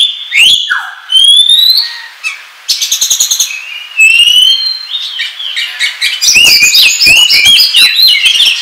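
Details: Oriental magpie-robin, called kacer, singing a varied lure song for trapping: rising whistles, a fast rattling burst of repeated ticks, then dense chattering and mimicked phrases, loud and clean.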